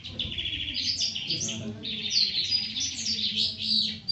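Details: Long-tailed shrike singing a dense, continuous high warble of rapid chattering and whistled notes, with two long bursts separated by a brief dip, over a low steady hum.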